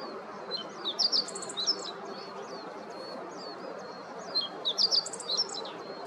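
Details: Meadow bunting during its morning activity on Yanagishima coast, Chigasaki, Kanagawa, Japan, 26 October 2023, filmed with a Nikon COOLPIX P1000; two bursts of thin, high, rapid chirping notes over a steady low hum of coastal background noise.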